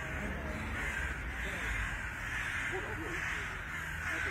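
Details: Eurasian magpies fighting give harsh, rasping chatter in irregular bursts about every second and a half, while a person speaks over them and a low rumble sits in the background.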